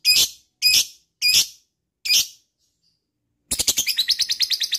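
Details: Lovebird sound meant to trigger trilling in other lovebirds: four loud, evenly spaced shrill squawks, then after a pause a fast, high, rattling trill of rapid repeated notes.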